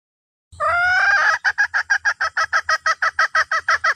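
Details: Red junglefowl hen calling to the rooster: a long harsh drawn-out note, then a fast run of short, clipped, nasal clucks, about three a second, steady to the end.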